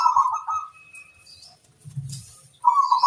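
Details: Local zebra dove singing a lure song meant to draw wild birds to answer: a fast, pulsed, rolling coo phrase at mid pitch, then a quiet gap with a soft low thump, then a second similar rapid trill.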